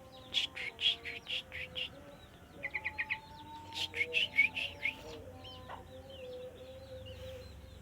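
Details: Caged sooty-headed bulbul, given vitamins once a week, still singing softly rather than loudly. It sings a series of rounded notes, then a fast cluster of short notes and a louder run, over steady tones and high twitters.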